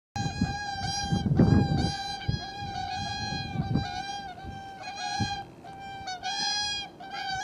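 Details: Pair of whooper swans calling back and forth, possibly greeting each other, photographed 13 January 2021: loud honking trumpet notes on a steady pitch, overlapping in quick irregular bursts, with low rumbling background noise.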